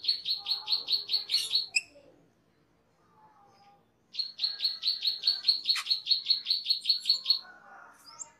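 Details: Asian glossy starling (cucak keling) on a master training recording gives two runs of sharp, high chipping notes, about two or three per second, with soft twittering chatter in the pauses.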